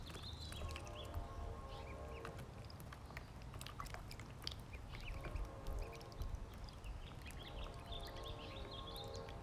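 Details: Ducklings being fed more food: high chirping peeps come in bursts, with short harmonic nasal notes repeating in stretches, amid busy clicking and pecking sounds over a low rumble.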